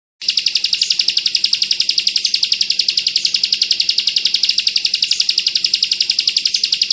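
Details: Bar-winged prinia in the 'kristal bren rapat' style, a tutor recording for training pleci birds. A loud, high, buzzy trill starts after a brief silence and runs nonstop at almost four pulses a second, very even, with no other sounds.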